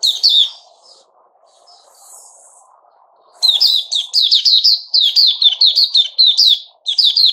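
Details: Sooty-headed bulbul, a male, recorded 10 July 2021: a chirpy note, then a pause over a faint low hum, then rapid high, sharply bent chirps in quick bursts of several notes.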